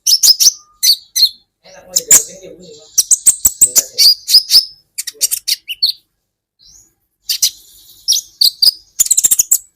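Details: Sunbird singing as a training recording for songbirds: dense high-pitched chirps, sharp ticks and brief trills in rapid bursts, a short pause midway, faint low murmur in background.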